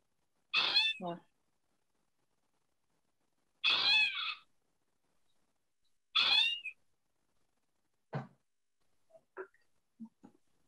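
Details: Gray Catbird, breeding in summer, often hidden in bushes, giving three nasal, cat-like mews, each about half a second and roughly three seconds apart, then a few faint, brief softer notes; the call is mistaken for a kitten.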